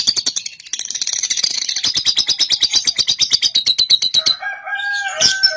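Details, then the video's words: Young cobalt lovebird giving its ngekek, a long rapid chattering trill used to encourage other lovebirds to sing: dense, buzzy high pulses run steadily for about four seconds, then a lower, harmonic, rooster-like call takes over at the end. "PANCINGAN LOVEBIRD PAUD COBALT | AGAR RAJIN NGEKEK"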